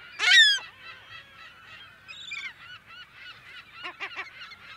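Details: In a California gull colony, one loud harsh scream opens, then a constant chatter of high mewing calls follows, with a short run of clipped, repeated notes toward the end. Close to medium range, mono.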